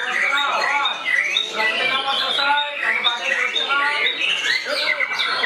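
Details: White-rumped shama attacking a rival, singing repeated arched whistled notes in quick series, mixed with sharp chirps and bright rising phrases, loud and continuous.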